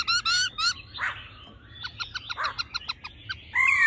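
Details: Laughingthrush, female and male singing, 'old forest voice' style: opening clear rising whistled notes, a faint patter of soft chips and muffled notes in the middle, then a loud whistled phrase at the end.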